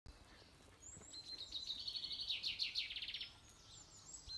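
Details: A male common chaffinch in spring gives one bright, two-second territorial song: quick repeated notes speeding into a rattling run, ending in a short flourish. Faint high chirps from other birds sound behind it.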